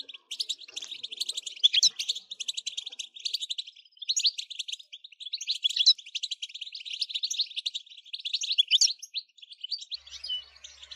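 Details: European goldfinch pouring out a long, unbroken stream of fast, jangling twitters and buzzy trills. The recording is used to stimulate other goldfinches into continuous singing.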